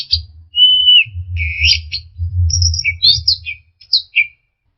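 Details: Orange-headed thrush, its song used to train caged birds: a clear level whistle ending in a downslur, then a raspy buzzy phrase and several sharp squeaky notes, over a continuous low rumbling background.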